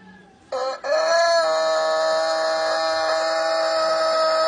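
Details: Ayam Etawa rooster crowing in the long-drawn 'teler' style: a short rising opening, then a steady, unbroken held tone that carries on to the end without fading.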